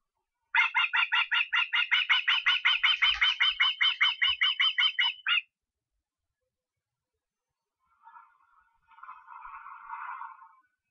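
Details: Estonian osprey on 23 August: around twenty-five quick whistled yelps repeated over five seconds. After a pause come fainter, lower, rougher calls.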